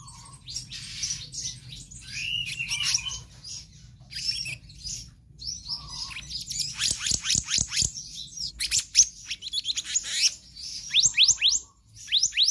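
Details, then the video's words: Magpie-robin pouring out a varied konslet song: scratchy high warbles, dense rapid chatter, then a burst of sharp clicking notes near the end, with a faint low drone. "Kehicap Ranting Gacor Konslet Full Fariasi"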